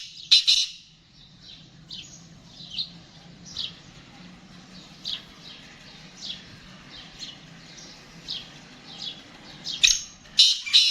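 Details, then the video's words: Captive black francolin of the Gangas strain calls with loud harsh rasping bursts at the start and again near the end. Between them, softer short chirps repeat about every second over a steady low hum. "Kala Teetar Gangas Nasal Black Franclion Voice"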